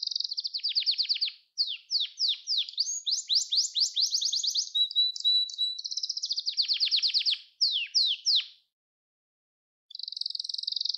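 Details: Gloster canary song, meant to stimulate canaries and train young ones to sing: fast rolling trills of repeated sweeping notes, a higher buzzy section, a short steady whistle, then more trills before a pause and a final trill.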